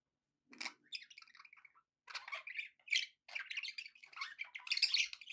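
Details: Pet budgerigars chattering happily in bursts: after a half-second of quiet, clusters of raspy chirps and warbled notes come in three groups separated by short pauses.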